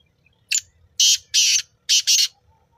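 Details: Black francolin at Nawabshah, Pakistan, giving a grating phrase of five rasping notes: one clipped opener, then two drawn-out harsh notes, and after a pause two more. Low background rumble.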